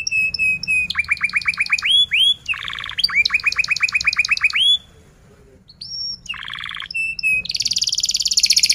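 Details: Varied canary song for teaching young canaries to sing: steady high whistles, rapid trills of repeated notes, a short pause, then buzzy phrases and a bright rattling roll.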